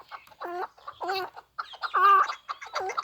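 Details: Hybrid chukar partridge, raised for hunting and fighting, calls a series of loud stacked chuk notes in pairs, separated by a brief pause, slightly roomy in tone.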